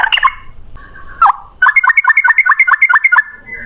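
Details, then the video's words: Yellow-vented bulbul in loud rapid song: a few slurred whistles and a drawn note, then a quick even series of sharp whistled chips, about four per second, fading into a short note. "Burung trucukan gacor ropel 1 nafas panjang volume cucak rowo"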